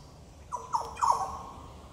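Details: In Goomboora Park, Cairns, Queensland, Australia, on 9 September 2022, a Yellow Oriole gives three rich, falling whistled notes, the final one drawn out and warbling, with little else audible.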